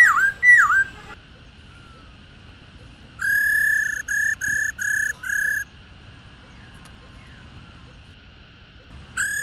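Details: Female black-throated laughingthrush, old and taken from the wild, giving her 'ro' call to stimulate caged males. Two swooping slurred notes open, then a pause, a run of five steady flat whistles, and another whistle at the end.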